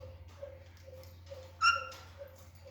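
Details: Green Alexandrine parakeet in a cage, active and playful: a single short, loud, clear whistled note with bright overtones near the middle, over a steady low hum and a soft regular ticking.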